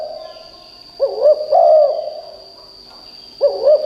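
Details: Spotted dove kept as a decoy to call wild birds, giving loud, hollow cooing phrases of short arched notes, one phrase and the start of another, with a steady high electronic whine behind.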